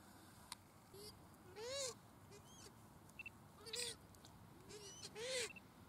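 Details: Australasian swamphen (pukeko) in Waterford park, Christchurch, April 2019, giving a run of short, arched, nasal squawks, some louder and harsher, about one each second, against faint outdoor noise.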